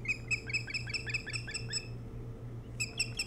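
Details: Osprey at its nest on Hog Island near Bremen, Maine, filmed by nest camera around dawn, 3 July 2018: a quick run of sharp whistled chirps, then a pause and a short burst of three more, over a steady low hum.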